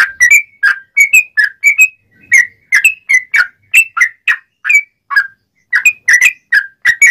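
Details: Clear, sharp song of a sooty-headed bulbul, offered as a lure for trapping wild birds: a steady series of short whistled notes, alternately rising and dipping, about two or three per second with small gaps.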